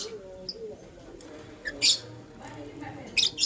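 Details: A lutino lovebird chirps in the morning: a handful of separate, sharp, high-pitched screechy notes spaced apart, with faint low murmuring underneath.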